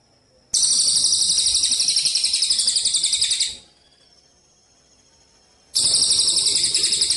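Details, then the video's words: Javan munia song from a contest training recording: a three-second high buzzy pulsing trill, a pause with a faint thin tone, then the trill starting again. "masteran komplit untuk burung lomba gereja_cililin _kapsa tembak suara asli dan jernih# berjeda"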